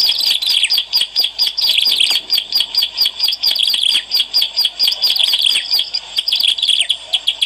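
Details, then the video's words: Bar-winged prinia song used to attract birds. High, sharp chirping notes repeat rapidly in pulsed series, layered and insistent, easing slightly toward the end. "SUARA PEMIKAT CIBLEK ALANG-ALANG GACOR"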